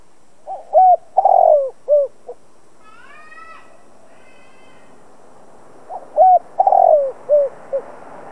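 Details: Spotted dove used as a decoy to stir other doves to call, giving two matching low cooing phrases about five seconds apart. Each has short lead-in notes, a long falling coo and a closing note, with a fainter higher, thinner call between them.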